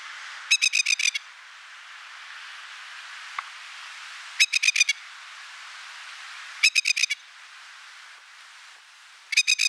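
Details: Masked lapwing parent guarding its nest in a suburban park at Upper Mt Gravatt, recorded about 20 metres away: loud rattling bursts of five or six quick strident notes, repeated roughly every two to three seconds, with steady background hiss and one sharp click.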